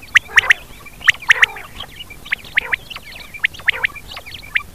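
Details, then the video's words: Rain quail recorded as a night lure gives sharp, clipped metallic notes in quick pairs and triplets, repeated in uneven bursts about once a second, over faint background hiss. "quail sound/batair vice"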